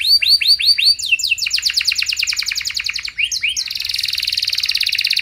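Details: Canary singing continuously to prompt other canaries to respond and sing long: a run of looping whistled notes, then a fast series of rising chirps, ending in a dense rapid buzzing roll.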